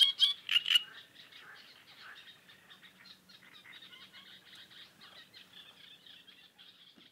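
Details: Chattering great reed warblers: an opening burst of loud, grating notes, then a long, quieter stream of rapid scratchy chatter that fades gradually.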